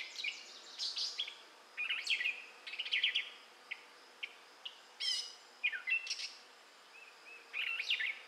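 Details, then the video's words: Gray catbird singing in southwest Michigan in May 2011: a rambling run of varied squeaky, mewing and chattering phrases, each brief and jumbled, following one another with short pauses in quick succession. "Gray Catbird Singing in Michigan"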